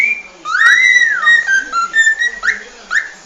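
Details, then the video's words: Cockatiel whistles a long rising-and-falling note, then shorter level whistles and two quick upward sweeps. "شاهد اروع غناء من طيور الكوكتيل خرافي"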